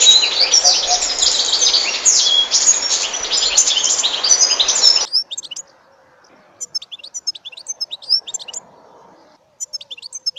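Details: European goldfinch singing: five seconds of dense, loud, fast twittering and buzzy high notes, then scattered short high chirps over near silence.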